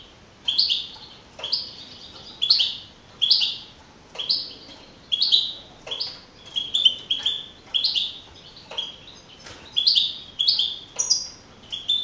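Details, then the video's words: European goldfinch, a young caged contest champion of the field type from Navalcarnero, Madrid, 2012. Brief bright twittering notes, some rising, come in regular bursts across twelve seconds over soft background hiss. "JILGUERO CAMPERO CAMPEON 2012"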